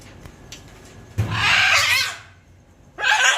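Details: A scarlet macaw pair: a loud, harsh, raspy squawk lasting about a second, followed by a second shorter grating screech, with faint clicks before.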